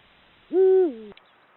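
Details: Territorial hoot of a male Eurasian eagle-owl in breeding season: a single deep note held level for a moment, then dropping to a lower tail, ending with a brief sharp click against faint background hiss.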